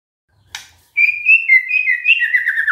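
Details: White-rumped shama copying canary song: after a click, a long sustained warbling whistle that wavers and gradually drops in pitch.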